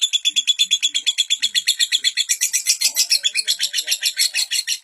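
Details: Continuous lovebird song as a master for juvenile birds: insistent high twittering pulses, about three each second, forming an unbroken, scratchy chatter.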